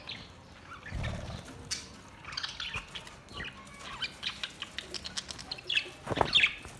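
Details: Budgies sing in a soft, scattered chatter of high chirps and short warbled notes. A couple of low thumps and rustles are heard around them.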